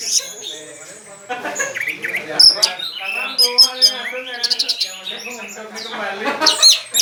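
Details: Loud contest-type singing from an orange-headed thrush: a dense run of high shrill notes, chattering trills and sweeping whistles, with some lower rough sounds and faint talking in the background.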